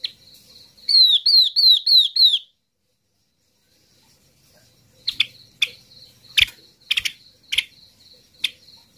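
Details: Flock-attracting lure call of a yellow-eyed babbler: a series of six bright, descending whistles in rapid rhythm, followed after a quiet gap by scattered sharp chips and clicks.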